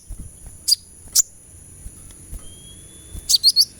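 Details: High sunbird notes on a song-therapy recording: two isolated sharp chips, then a closing burst of three quick, slightly falling, thin notes, over soft low rumble.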